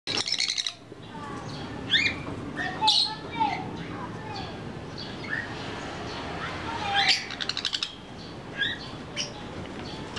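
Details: Baby sun conures give scratchy, high chirps and squeaks in short bursts, with faint voices behind.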